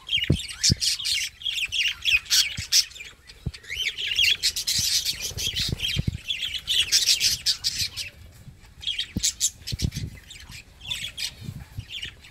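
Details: Budgerigar chattering in a steady stream of high, scratchy warbles, squeaks and rapid chirps while enjoying a scratch or massage.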